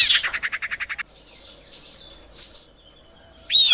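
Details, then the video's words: A female common iora calling the male with a rapid, even run of about ten clipped notes, then softer buzzy chatter and a final sharp, rising squeal. "suara sirpu betina memanggil jantan"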